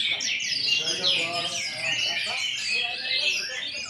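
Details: Orange-headed thrush singing in the 'teler' style, a dense, unbroken stream of high, fast-warbled and chattering phrases with little pause. Fainter low-pitched murmuring sits beneath.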